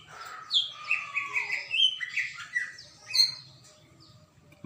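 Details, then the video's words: Greater green leafbird pouring out a fast jumble of bright whistled notes, slurred chirps and buzzy squeaks, mostly high-pitched, fading near the end over a faint low background hum. "Burung cucak ijo gacor."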